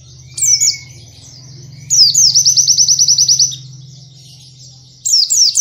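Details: White-eye singing a dense 'nembak kenari' training phrase. Short twittering bursts lead into a rapid, high, stuttering trill of about a dozen pulses, followed by silence and another chirpy burst, all over a steady low hum.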